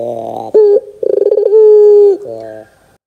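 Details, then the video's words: Barbary dove lure call meant to prompt young birds into calling: a short coo, a quick rattling laugh-like roll, then a sustained low, even coo ending in a softer murmur. "PANCINGAN PUTER GACOR DOR TERMEWAH 2024, WAJIB COBA, PUTER BAHAN MUDA PASTI NYAUT !!!"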